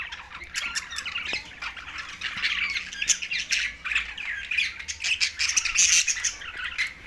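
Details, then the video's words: Feeding green budgies, tagged Larkana, Sindh, fill the air with busy scratchy squawks and chirps. The chatter grows denser and brighter toward the end, with sharp clicks and occasional high squeaks. "Beast Moment Meal Green Budgies Talking"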